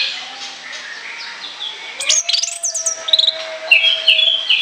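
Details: Orange-headed thrush in full ngoceh chattering song, recorded for use as a lure: after two quiet seconds of faint background, a burst of quick high sharp notes and short whistled phrases, some rising, tumbling rapidly.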